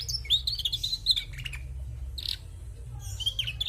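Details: Female canary giving brief high whistled phrases: a wavering sustained tone, a few chips, a short buzzy burst and a closing warbled whistle, over a low hum.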